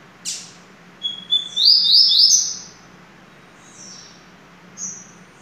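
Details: A Double-collared seedeater gives a sharp opening note, a sustained high whistle, and then a bright trilled flourish of looping notes in the Sertão lineage song. Soft whistles trail off afterward, against a low constant hum.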